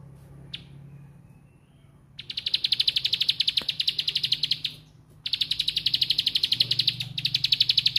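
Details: Bar-winged prinia 'bren' song: after a lone click and quiet, two long runs of rapid high ticking, each two to three seconds, separated by a short gap, with low hum beneath.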